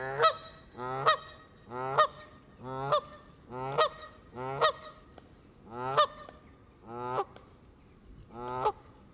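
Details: A flock of Canada geese surrounding a camera left on the grass by the water as they feed; steady series of loud nasal honks about once a second, with a few thin higher squeaks between them.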